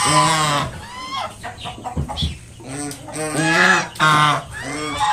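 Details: A mother swan with five newly hatched cygnets gives a series of harsh, nasal honks, five short bursts over five seconds, some rising and falling, to drive off a person approaching her young.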